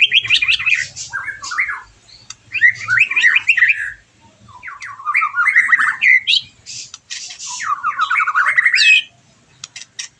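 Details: White-rumped shama song played to stir a bird after its moult into answering: loud bursts of fast, scratchy twittering and slurred whistles in four long phrases separated by short gaps.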